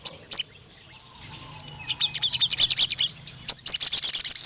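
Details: Ruby-cheeked sunbird in lively song: two loud high chips, a short lull, then quickening runs of bright metallic twitters that build into a rapid close series.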